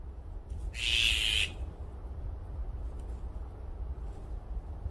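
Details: An azure-winged magpie in a noisy flock gives one harsh, rasping screech lasting under a second over a steady low rumble of wind or distant traffic.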